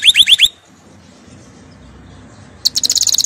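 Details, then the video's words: Canary song used for training: a quick burst of four rising chirps at the start, a long quiet stretch, then a rapid run of high, even trills to the end. "Canary 's most powerful song for training"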